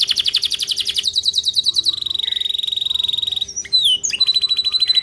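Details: Canary song played so other canaries imitate it: a fast pulsed trill, a smoother rapid roll, brief looping whistles, then another quick trill.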